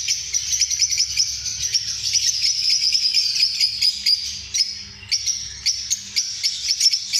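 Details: Lovebirds produce a steady stream of piercing high chirps and twitters, fast and irregular, with a brief lull near the middle.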